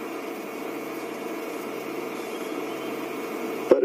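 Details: Steady mechanical hum with layered tones runs throughout, ending in a sharp click, with no animal voices.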